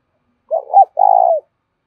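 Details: Spotted dove kept as a decoy cooing: a soft wavering note and a rising-falling hoot, then a long pulsed, burry coo that eases downward.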